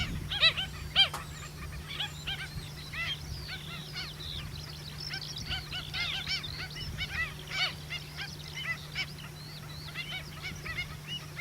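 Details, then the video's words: Pied (Black-winged) Stilts at a roadside pond after rain at Miranda, New Zealand, give rapid, high yapping notes, several birds overlapping in a busy chorus, over a steady low hum of distant traffic. "Pied or Black-winged Stilt calling"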